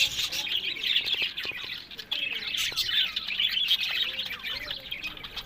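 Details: Pet budgerigars from a breeding setup in Larkana, Sindh, producing a busy, unbroken warbling chatter of thin chirps and quick twittering notes from several birds at once.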